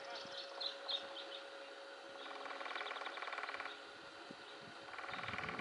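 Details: Woodpecker drumming on a front-yard birch tree in the Conejo Valley, Ventura County, heard every morning in spring: a long machine-gun-fast hammering roll of about one and a half seconds, then a shorter roll, with faint bird chirps early on.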